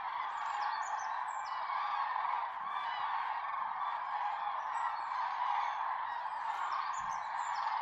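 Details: Common cranes at a golden sunrise in the Tister Bauernmoor, a wet moor under heavy cloud; a dense, unbroken chorus of honking calls merges into a steady roar, with faint high chirps drifting above.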